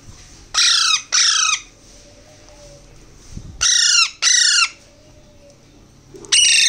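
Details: Young Alexandrine parakeets being hand-fed beg with loud, rasping, buzzy squawks in pairs, with three bursts spread over several seconds and quiet gaps between them.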